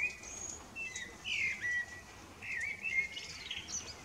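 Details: Evening serenade by a male common blackbird under the moon, heard as two low, flute-like whistled phrases, each closing with squeaky high twittering, against quiet background hiss.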